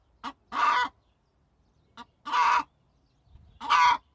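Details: Hen calling loudly: three harsh, raspy squawks, each introduced by a short clipped note, spaced over about four seconds with quiet between them.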